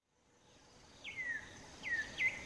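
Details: An African Emerald Cuckoo in southern Africa, calling out in the open from a song post to advertise itself or attract a mate, gives clear, high downslurred whistles, one longer then two quicker, over soft hiss.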